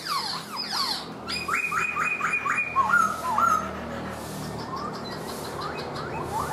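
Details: Black-throated laughingthrush, a kept bird, singing while dancing with its tail fanned like a fan: a burst of steep falling whistles, then a row of even flat-topped notes and a warbled phrase, softer slurred whistles trailing off.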